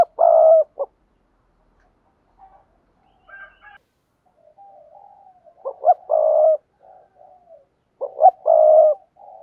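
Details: Spotted dove urging coo, used daily to train newly caught doves to coo; three loud rolling coo phrases, each a short stutter and a sustained low burr, separated by soft quiet murmurs in silence.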